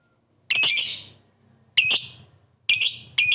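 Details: Lovebird calling out to rivals with loud, grating screeches, each lasting about a second and fading away, three in a row with a fourth starting at the end.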